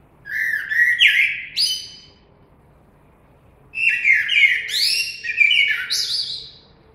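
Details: Common blackbird singing: two phrases, each opening with low mellow fluted whistles that slide and waver, then breaking into a high squeaky twitter, separated by about two seconds of quiet.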